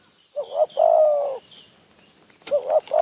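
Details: Wild spotted dove near Phrae, Thailand, lured by a decoy: a quick doubled note and a long mellow coo, then another phrase beginning, with faint high chirps and a steady whine in the background.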